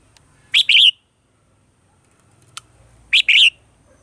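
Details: Red-whiskered bulbul morning song in a mature wild-style voice, used as a lure to train caged birds: two bright, warbled two-part phrases about two and a half seconds apart, with a single sharp tick between them.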